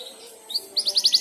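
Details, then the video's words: Young canary practising song in response to another canary: a faint high note, then five quick bright chirps repeated roughly ten times a second. "Suara Burung Kenari Belajar Ngeriwik, manjur mantap kena pancingan suara kenari lain"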